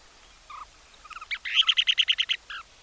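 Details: Kentish Plover call in the Netherlands, where up to about 215 pairs breed yearly: a couple of soft, lower notes, then a rapid run of about nine sharp, high ticking notes in one second and a final note, quiet background.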